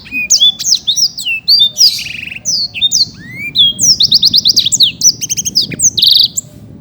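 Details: Caged champion black-throated canary in full song: dense, continuous chatter of sharp downslurred whistles, buzzy trills and rapid repeated notes, loud and high-pitched throughout almost seven seconds.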